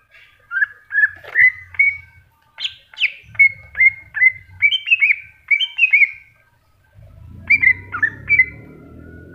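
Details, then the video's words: Greater green leafbird, cucak hijau, in masteran style: a run of clear whistled notes, some sliding down, some rising, about two and a half per second, with a brief pause before a final burst over a low rumbling hum. "Cucak Hijau Masteran"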